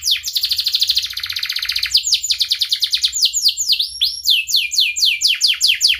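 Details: Canary song for training young canaries: it opens with a dense rattling trill lasting two seconds, then switches to a series of loud downward-sweeping whistles and quick chirps repeated at a lively, uneven pace.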